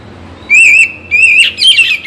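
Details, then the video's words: Kacer Bagong Oriental magpie-robin, morning and evening song meant to make sluggish birds sing: two sustained wavering whistles followed by a quick jumbled twittering flourish. "Penggacor Kacer Bagong || Pagi dan Sore - Bikin Kacer Lebih Bersemangat Untuk Berkicau"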